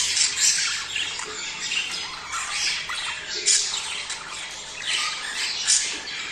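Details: Mating sounds of budgerigars used to stimulate breeding: rolling, buzzy chatter of several birds with irregular swells and sharp squeaky chirps every second or two.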